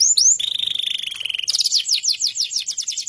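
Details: Canary labelled FFYS holding a long flat buzzy trill with a rising whistled start, then switching abruptly to a brighter series of fast descending chirped notes.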